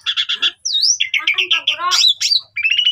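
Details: Asian pied starling singing rapid mixed phrases: nasal chattering notes, a looping whistled swoop, grating buzzes, and a closing rising whistled trill.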